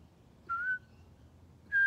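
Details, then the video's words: Pied butcherbird sharing phrases with a person at Griffith Pioneer Park Museum, World Listening Day 2023: a slightly rising fluty whistle, a pause, then a loud bright note beginning just as the recording ends. "Conversation with a Pied Butcherbird"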